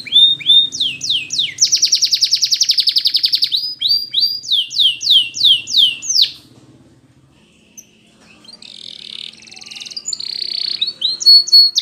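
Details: Spanish Timbrado canary song for training: rapid metallic rolled trills and rising sweeping notes in fast repeated series, a sustained buzzing tour, then a pause and softer, more distant trilling phrases.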